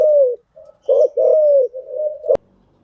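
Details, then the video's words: Decoy cooing of a spotted dove, used to train freshly caught birds: a falling coo, a short pause, then pulsed notes leading into a long, level coo. A sharp click sounds near the end. "tiếng chim gáy dùng tập chim bổi mới hiệu quả"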